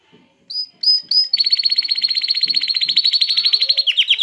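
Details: Canary singing to excite females into mating and get chicks singing: three short high whistles, then a long, very fast metallic trill of steady pitch, with faint low knocks underneath.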